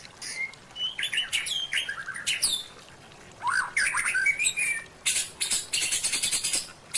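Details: Caged white-rumped shama song from a training recording with a lavish 'full isian' fill: varied clear whistles, sliding notes and harsh squawky bursts, given in phrases separated by short pauses.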